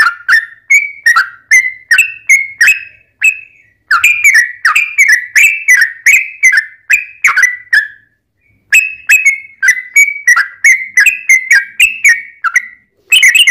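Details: Lure song of a sooty-headed bulbul, meant to draw replies from other bulbuls; long bursts of quick, clipped whistled notes, each starting with a sharp attack then wavering down, about three a second, broken by two short silences.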